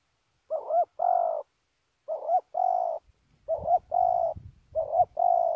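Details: Spotted dove from Kon Tum, Vietnam, cooing: a short wavering note followed by a longer, steady, hollow coo, the pair repeated four times about every 1.5 seconds, with faint low rumbling in the background.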